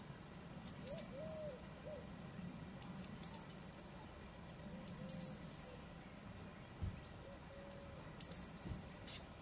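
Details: Eurasian blue tit song, four phrases about 2.3 seconds apart. Each opens with high thin piping notes and runs into a quick, tinkling, descending trill. Faint low soft whistles from another bird sound between phrases.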